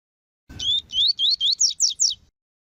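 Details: Tuí tuí song of a double-collared seedeater, used to warm up and train young birds: seven clear whistled notes in quick succession, each sliding upward, the last ones steeper, over a faint low rumble.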